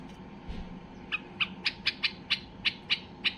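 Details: White-eared bulbul, highly excited, starts after a soft low thump and then gives a run of about ten sharp, bright notes at a quickening pace, sung to spur other bulbuls into singing.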